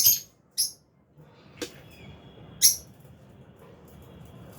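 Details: Aviary lovebirds, albino and Fisher's, making three sharp high-pitched chirps spaced irregularly, with a faint click and a low hum behind them.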